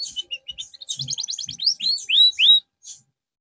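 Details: A canary being brought back into song after losing form delivers scattered high chips, a quick trill, then three loud rising whistled sweeps.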